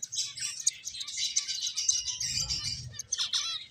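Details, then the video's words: Several finches playing, giving a dense chorus of high, thin chirps and twitters that overlap continuously, with a soft low rumble underneath around the middle. "Cute Birds Chirping Sounds | Beautiful Finches Playing"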